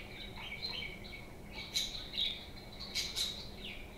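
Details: Home budgies chattering: a stream of quick warbled chirps and harsher squawky notes, bunched in the second half, over a steady low background hum.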